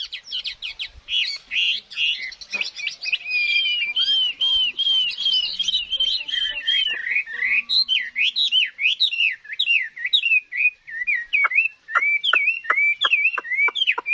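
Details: Chinese hwamei, a wild-caught mature bird recorded in 2024, singing loud, varied whistled phrases that slide up and down, fast twittering runs, then a series of sharp repeated whistled notes near the end.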